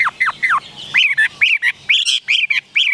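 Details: A Chinese hwamei (Garrulax canorus), a captive cage bird, sings loud, ringing whistles: quick downslurred notes give way to rising-and-falling phrases, several each second, with no other sounds.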